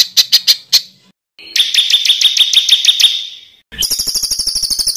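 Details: Bird song for training competition birds: four loud high notes, a brief gap, a run of rapid chips that fades, then a fast buzzy trill. The pieces are abruptly joined.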